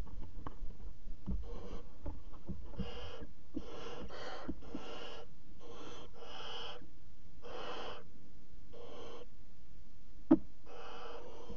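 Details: Barn owl chicks in a nest box at 22:00 on 5 August 2017, the Netherlands, flapping wings; repeated hissing, wheezy snore-like calls roughly every second, over constant low rumbling background noise and a single sharp knock.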